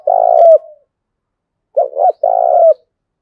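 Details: Spotted dove cooing, recorded for training and luring doves: low hollow coos near 500–700, a long drawn note, a pause, then a quick double coo followed by another long note; no other sounds.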